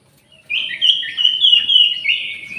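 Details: Orange-headed thrush singing in an aviary where jali birds are also kept. After a quiet start, a rich, unbroken warble of fast whistled and twittering notes runs steadily for two seconds.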